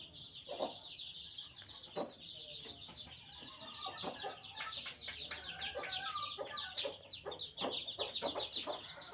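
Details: Five-day-old chicks cheeping together in a dense chorus of high, thin, falling peeps, many overlapping notes with no pause, and a few brief louder chirps standing out.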